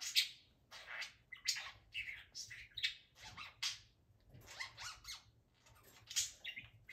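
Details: Male pet budgerigar talking excitedly in his cage; dense run of harsh squawky syllables, clicks and whistled chirps in uneven bursts.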